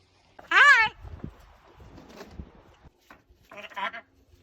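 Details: A talking pet macaw, outdoors in its aviary in summertime, gives two loud, raspy, speech-like bursts, one early and one near the end, with a man talking quietly in between.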